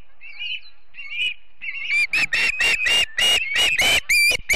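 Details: Osprey family on the Charlo nest, Montana, one September morning in 2016, live nest camera: soft whistles build into a rapid run of about eleven sharp chirps, several per second.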